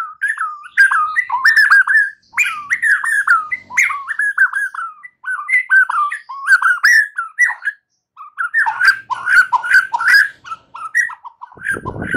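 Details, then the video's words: White-rumped shama singing continuously, meant to coax a young wild-caught bird past the spotted stage into full song: a dense stream of mellow whistles, chirps and warbled slurs with only a short break near the end. "Memancing murai batu MUDA HUTAN dan LEPAS TROTOL agar GACOR NGEPLONG"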